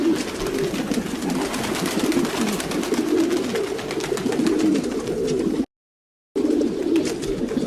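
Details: Domestic pigeons cooing together in a dense, overlapping chorus of low, throaty, wavering coos, with frequent soft clicks and flutter-like rustles throughout; a brief dropout of silence near the end.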